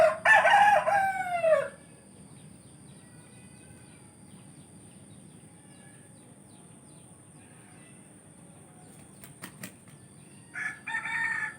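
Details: A rooster in a village gives one loud, hoarse crow that falls away at the end, then quiet with faint distant bird notes and a brief second call at the close.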